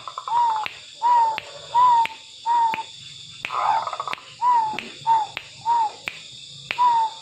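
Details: Zebra dove, tame and singing persistently: short, soft, slightly downslurred coos repeated roughly every three quarters of a second, with one rolling pulsed phrase midway. Sharp regular clicks sound between the notes.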